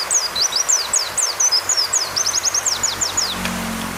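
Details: Song of an Oriental white-eye, prepared as a tutor recording for caged birds and combined with rain and pauses: a fast chattering series of high, thin, slurred notes over a steady hiss of rain.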